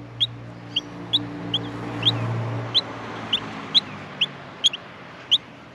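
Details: Australian miner chicks in the nest call for food with sharp, high single chirps about every half second, over a low droning hum.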